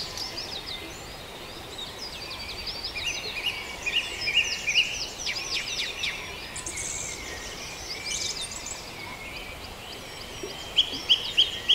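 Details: Farndale at dawn with a chorus of many small birds: dense high chirps, short trills and scattered clicks, mostly fairly distant and blended with steady background hiss, and a few sharper notes near the end.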